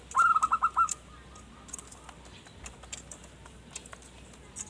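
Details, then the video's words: Local zebra dove in full song, meant for luring wild birds: a short burst of six rapid, rolling coo notes at the start, followed by several seconds of quiet background clicks. "Perkutut Manggung Gacor Pas Buat Pancingan Burung Hutan"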